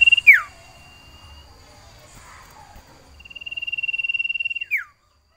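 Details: Breeding sirtu iora in a cage, calling out for a female: a falling swoop, a long quiet stretch, then an even rapid trill of whistled pulses ending in another downward slur.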